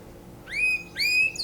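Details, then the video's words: Canary singing for mating, two clear rising-then-level whistled notes about half a second apart, followed by a high descending slur. "Beautiful canary singing for mating تغريد كناري جميل للتزاوج"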